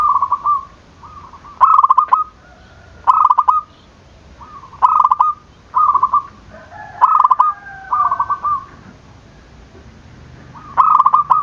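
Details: Zebra dove calling continuously to get lazy or silent doves calling again: a steady series of bubbling trilled coos, one to two per second at times, with a lower overlapping coo partway through.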